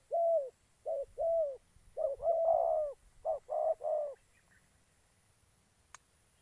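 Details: Spotted dove kept as a trapping decoy in Gia Lai, Vietnam, delivering a run of seven deep, rounded coos, some brief and some longer and slightly burred, followed by silence and a single faint click.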